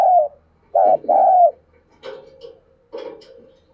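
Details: Decoy dove used for luring wild doves. It gives three loud, low coo notes, then softer, lower cooing mixed with sharp clicking and rustling sounds.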